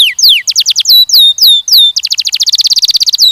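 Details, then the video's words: Canary song for mating training of young males and females. Loud swooping down-slurred whistles come in a varied sequence. They break into a very fast even trill of short notes, then one final falling whistle. "Canção DAHSYAT CANARIES BIRDS 2023..! treinamento de acasalamento de machos e fêmeas jovens"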